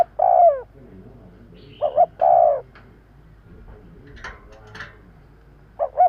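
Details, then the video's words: Spotted dove coos used to lure birds: two-plus-one coo phrases with a long falling final note, followed by a gap with faint clicks and knocking sounds before the next phrase begins. "Tiếng chim cu gáy kèm kích bổi nhanh nổi - Suara yang menarik suara Tekukur Enak Didengar Buat Pikat"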